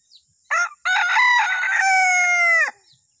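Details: Lure recording of a male Sulawesi junglefowl with one full crow: a brief clipped opening note, then a long, rich, sustained phrase that slurs downward at its close. Thin high chirping is faint in the background.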